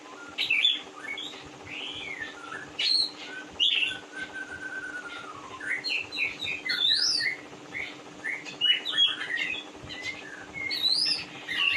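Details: Oriental magpie-robin, a large-bodied kept bird, singing a varied run of clear whistled phrases: rising and falling slurs, bright upsweeps and one long descending whistle, delivered in bursts over a steady low hum.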